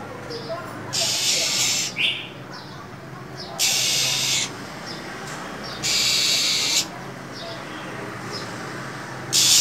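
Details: Female than songbird in the cold of winter, hissing continuously to rouse a male: three harsh, broad hissing bursts about a second long each, plus a brief high chirp and faint soft notes between them.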